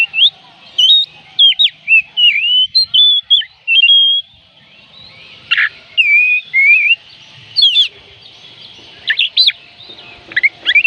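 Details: Oriental magpie-robin in long song, played to make reluctant birds sing: busy stream of bright whistled notes, wavering and sliding, broken by a short gap and a harsh burst, then more rapid whistles.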